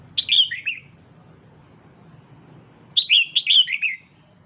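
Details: Female red-whiskered bulbul, a kept cage bird, calling to stimulate the male: two bursts of bright, slurred chirping notes, each under a second, about two and a half seconds apart over a low background hum.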